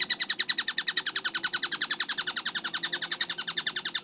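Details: Collared kingfisher, known locally as tengkek buto, calling in a rapid tight-paced sequence: quick identical harsh notes run together at a steady fast rhythm, bright and high, over a quiet background.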